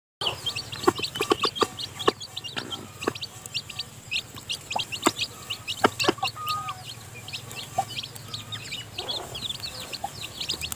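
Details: Newly hatched chicks still in the nest while the mother hen feeds them: constant thin, high, downslurred peeps from several chicks, broken by a few low hen clucks and sharp clicks.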